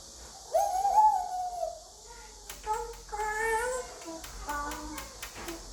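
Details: Five-year-old male African grey parrot kept as a pet, trying English words indoors: a long wavering voice-like phrase, then several short clipped syllables with bright harmonic tones.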